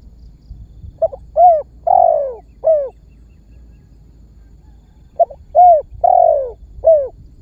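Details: Spotted dove in calling and pressing mode, a lure to get other birds singing: two identical four-note phrases, each a quick soft note, a rounded coo, a long descending coo and a short final coo, separated by about two seconds of quiet.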